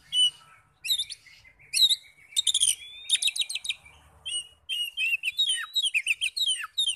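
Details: Oriental magpie-robin song played to make other magpie-robins respond: sharp chips and buzzy trills early, then a quick flowing string of sweet whistled and slurred notes toward the end.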